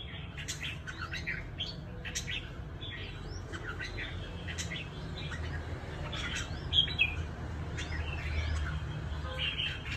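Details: Trapped red-whiskered bulbuls kept as fighters in Cao Bằng, Vietnam, give a busy series of sharp chirps and short whistles, with a brief loud note near the seventh second, over a low hum.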